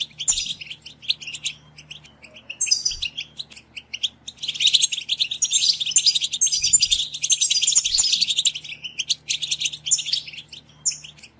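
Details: Several European goldfinches chattering together, a dense stimulating chorus meant to excite goldfinches into singing; rapid twittering and tinkling notes pile up in bursts, loudest through the second half, with a steady low hum underneath.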